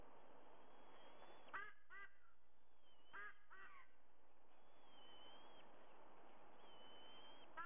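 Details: White-bellied sea eagle at a nest camera in Sydney, Australia, at 05:44 on 30 September 2022: two pairs of short, nasal, honking notes about two seconds apart over steady hiss, with thin high whistles of other birds.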